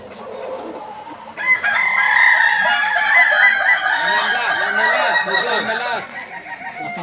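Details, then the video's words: Balenggek chickens competing in the landiak class of a Sunday crowing contest at Ampang Kualo, Solok; a loud, sustained crow with stacked wavering harmonics, overlapping rooster calls and faint crowd murmur beneath. "Kontes Ayam kukuak balenggek kls landiak"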